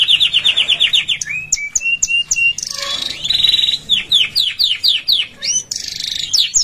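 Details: Canary singing, used to train canaries at home; a fast high rolling trill gives way to sustained pure whistles, a buzzy burst and a series of sharp down-slurred notes in quick succession.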